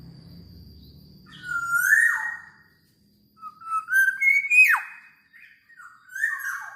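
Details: Black-naped oriole singing vigorously: fluty whistled phrases that slide upward, then drop sharply, in two bursts with a short pause between, followed by a softer whistled note; faint low hum at the start.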